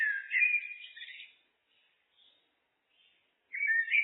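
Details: Common blackbird (Turdus merula) singing: a rich, warbled phrase of fluty whistles, falling then wavering, lasting over a second, a pause with faint twitters, then a new mellow phrase begins; no other sounds.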